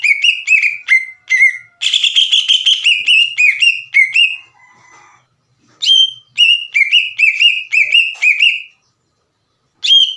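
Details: Green leafbird in full voice singing a lure song to set untrained leafbirds singing: rapid, dense bursts of bright downslurred whistles, a quiet lower phrase, silence, then another brisk series of ringing notes.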